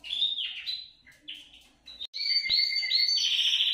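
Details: Canary singing to encourage other canaries: varied whistled slurs and short phrases with brief pauses, then a loud, steady rolling trill over the last one and a half seconds.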